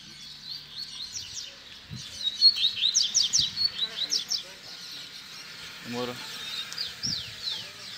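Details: Tutor recording of a double-collared seedeater baderna song for young birds to learn. Rapid, high, rhythmic chirp series with slurred whistles, plus a short lower stacked buzzy call near the end.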